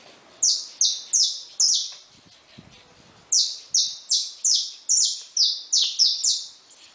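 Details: Caged saffron finch singing with newly hatched chicks: bright, high, sharply descending slurred notes in two rapid runs of about five to seven, separated by a short pause, with faint chatter underneath.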